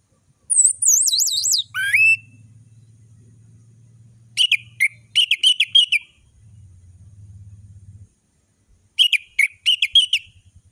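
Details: Orange-headed thrush in loud ngeplong song, used as a master recording for juveniles to copy: a high whistled phrase sliding down, then bursts of quick sharp repeated notes, over a low steady hum.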